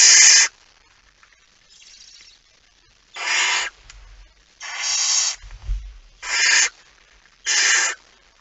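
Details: Barn owl at night, 17 September 2019 at 23:55, as the male arrives with a mouse: five harsh, broadband hissing bursts of about half a second each, spaced irregularly, with faint low thumps between them.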